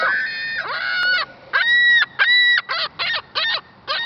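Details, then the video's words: Gull in Lac La Biche, Alberta, Canada, angrily calling while trying to get a french fry; loud harsh harmonic cries, a long drawn call then a fast series of short arched yelps about four per second. "Angry Bird"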